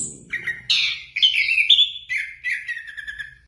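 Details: Orange-headed thrush delivering a varied whistled song, with rich sweet phrases and short twitters, over a faint low background hum.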